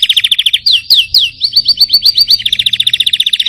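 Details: Singing young canary, trained to break into full voice: quick even chirps, then looping downward sweeps and a row of rising whistled notes, ending in a fast bright trill.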